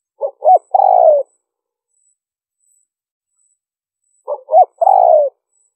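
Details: Spotted dove cooing repeatedly in liêu ròng style for luring wild birds: two phrases roughly four seconds apart, each a tiny note, a bent hoot, then a broad buzzy descending coo, in a quiet setting.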